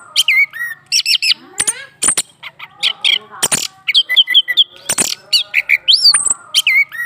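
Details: Orange-headed thrush, a caged male provoked by a female under his cage, pours out a dense, varied song of sharp clicks, looping whistles, chattering notes and downslurred high phrases with hardly a break.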